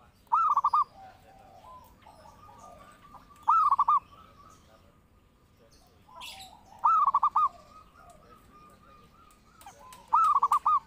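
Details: Zebra dove song as a training and lure sound, four cooing phrases about three seconds apart, each a rising note with rapid stuttering coos, faint sustained tones between them.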